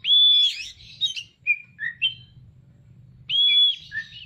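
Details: Oriental magpie-robin with tail opened, singing vigorously (gacor): a held whistle runs into warbled, chattering notes and short slurred chirps, then another long whistle with a twittering tail, low background rumble throughout.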